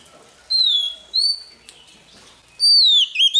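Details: Short morning practice song from a newly caught Oriental magpie-robin: three loud clear whistles, the first two falling slightly, the last a longer slurred note ending in a short upward flick.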